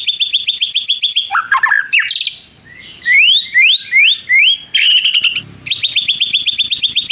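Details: White-rumped shama delivering a varied song: fast buzzy trills, tumbling downslurred whistles, a run of four rising slurred whistles, then a loud sustained rapid trill.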